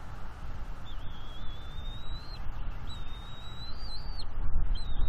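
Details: Juvenile bald eagle on its nest in northeast Florida, 19 April 2021, mantling over fish and claiming them from its parents; thin, high whistled notes drawn out and slowly rising, two long squeals over a steady low rumble of wind.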